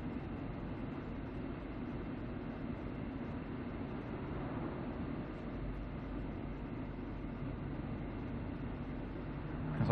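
Steady low mechanical rumble like a passing train or distant aircraft, with no animal calls heard.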